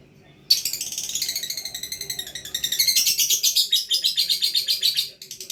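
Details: Lovebird in full gacor chatter: a continuous stream of rapid, buzzy, high chirps, several per second for about five seconds, growing louder and more pulsing toward the middle.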